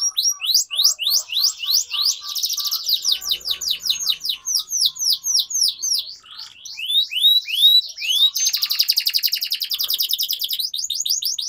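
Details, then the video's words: A canary sings a fast, continuous, bright high song: rapid rising chirps repeated in quick runs, then long buzzy trills and tours; a long, intense training recording used as a lure to teach young canaries to sing. "Canary Singing Training || Kenari Gacor Panjang Cuit Cuit Emosi"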